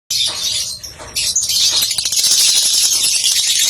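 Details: Lovebird, a national singing-competition winner, delivering a dense, rapid, high-pitched chattering song with shrill twittering notes, briefly dipping near the first second before resuming in a continuous, excited stream.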